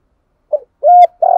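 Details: Brief spotted dove lure song for training birds: a soft clipped note, a clear level coo, then the start of a rolling, vibrating purr. Background silent.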